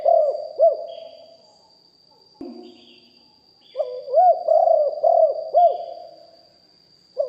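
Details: Live recording of a deep-voiced spotted dove kept as a decoy: clusters of low, rounded coos with quick up-and-down inflections, separated by gaps, with a faint rustle and a constant thin whine.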